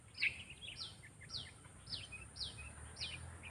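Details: Sooty-headed bulbul being trained for use as a lure bird: sharp chirps sweeping down from high to middle pitch, repeated about twice a second, with softer short notes between them and a steady high hiss behind.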